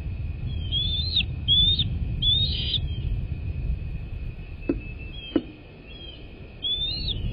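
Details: American bald eagle at its nest, filmed by a live cam on 21 February 2024. A string of high, thin whistled notes slurs up and down, fading mid-clip and then returning. Two sharp knocks and a constant low background rumble are also heard.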